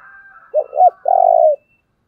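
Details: Decoy dove call meant to provoke wild doves: two short low coos followed by a long, throbbing, slightly falling coo, with a faint higher chirping bird in the background before it.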